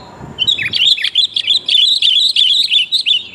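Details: Sooty-headed bulbul female calling to attract a male, used for luring: loud, steady chatter of quick twisting chirps, roughly three a second, with a little low rumble at the start.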